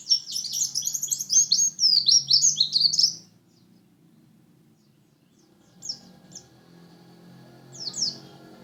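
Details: A Lumajang white-eye (pleci) delivers a three-second burst of rapid, high-pitched twittering, then falls mostly quiet, with two short high chirps later over a faint low hum.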